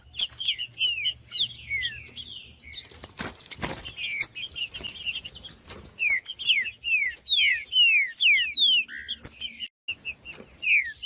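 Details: Song of the green-winged saltator used to rouse a quiet bird into singing: busy stream of downward-sliding whistles and chips, a few loud thumps around the third and fourth seconds, a continuous faint high whine throughout.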